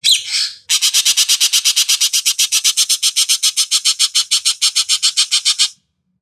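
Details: Ekek Keling in a master recording for training songbirds: one rough, noisy squawk, then a fast run of about twenty-five harsh, rasping notes at roughly four per second, steady for five seconds, then silence.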